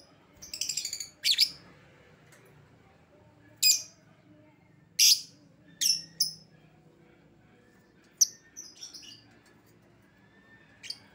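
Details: Lovebird lure sound for calling an escaped lovebird home: sharp, piercing high chirps given singly or in quick pairs at irregular gaps, with a short rattling burst at the start and quiet between calls.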